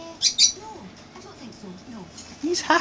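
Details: Pet male Blue-and-gold Macaw, happy, dancing and chatting, gives two harsh, raspy squawks at the start and another burst at the end, with a person's voice talking softly in between.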